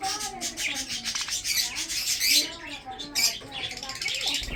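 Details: Breeding budgies eating food keep up a harsh, squawky chatter of quick high chirps and rough warbled notes, with faint lower murmurs beneath.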